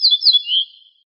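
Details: Ortolan bunting, called al-bouh al-fassi in Morocco, singing in a compiled recording of wild birds: the end of a phrase, a few high clear notes slurring down into a lower drawn-out note, with no other sound.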